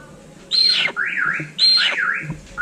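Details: Little hornbill: two loud calls, each a high whistled note sliding downward into a wavering zigzag of lower notes, sounding almost like a siren.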